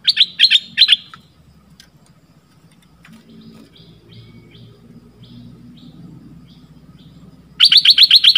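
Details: Red-whiskered bulbul, southern Thai type, lure sound; a burst of three loud sharp chirps opens, then quieter distant notes and low rumbling, ending with a fast run of loud chirps.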